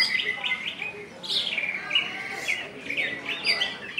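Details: Caged greater green leafbird of West Kalimantan in ngentrok style, delivering varied whistled phrases, downward slurs and quick twittering bursts in a steady, lively flow.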